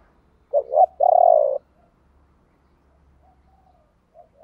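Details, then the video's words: Spotted dove, one of a male and female pair whose calls are used to stimulate cooing; a short two-part hoot then a long drawn coo, followed by faint distant notes and low hum. "tiếng chim cu gáy kích bổi nhanh nổi gù"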